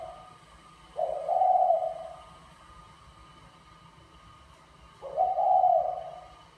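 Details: Spotted dove, a Mã Phấn male courting a Bài Lối female, gives two mellow, drawn-out coos about four seconds apart, each just under a second long, over a steady faint background hum.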